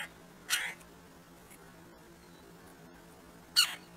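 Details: Red-breasted woodpeckers, two birds visiting a squirrel feeder, give two short, scratchy, nasal squeals three seconds apart against a quiet background with a faint low hum.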